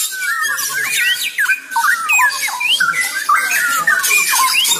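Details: Straw-headed bulbul (cucak rowo) singing in a season described as still rainy: a loud, continuous bubbling warble of rich whistled notes with quick rising and falling slurs, the phrases running into one another almost without pause.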